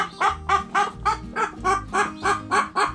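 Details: Hens making noise while pecking and scratching: a steady run of nine or ten short, harsh clucks about three per second, with music playing underneath.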